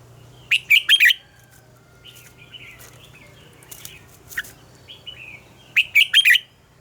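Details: Red-whiskered bulbul singing a morning decoy song of the mature wild double-note kind; loud three-note warbled phrases open and close the passage, with scattered softer chirps and whistles between them.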